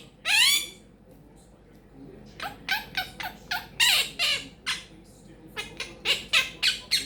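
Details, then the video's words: Quaker parrot kept as a pet, female, chatting in a small room; one loud descending squawk, a pause, then an uneven string of short raspy squawks and chirps. "CHATTING LITTLE QUAKER PARROT"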